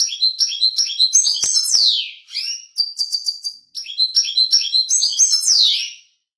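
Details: Continuous, energetic song of a European goldfinch, rapid liquid twitters with descending slurred notes and a short buzzy stretch, delivered almost without pause.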